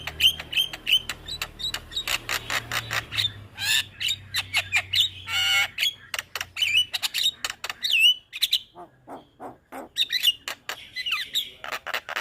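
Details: Captive Javan myna singing as a master recording for young mynas, a long busy stream of sharp clicks, whistled squeaks and harsh rasps, with brief low hum in the background.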